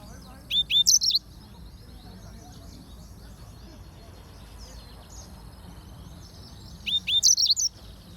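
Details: Yellow-fronted canary giving two bursts of rapid, high, sharp chirps about six seconds apart, with soft twittering and faint low rumble between them.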